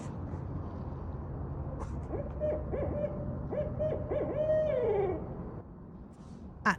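Barred Owl hooting in a rhythmic 'who cooks for you' series of clipped hoots, ending in a drawn-out, falling whinny; low background rumble and a sharp click at the end.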